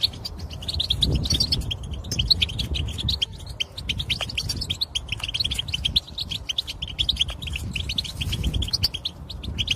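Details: European goldfinch song for prompting males into singing and excitement: continuous fast twittering and liquid trills run without break, with steady low rumble beneath.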